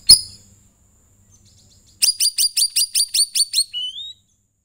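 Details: Sooty-headed bulbul (cucak rawis) song, played to prompt other birds to sing: a sharp knock, a pause, then a fast burst of about ten bright, high chirps and a closing rising whistle.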